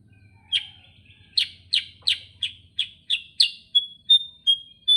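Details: Sooty-headed bulbul singing in the energetic non-stop 'gacor ngerol' style: a thin whistle, then sharp high chirps repeated about three times a second, ending in short level whistled notes.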